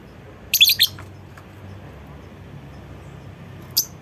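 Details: Lovebird calling to get other lovebirds singing along: a rapid cluster of three or four harsh, high, squeaky chirps, then quiet, and a single sharp click near the end.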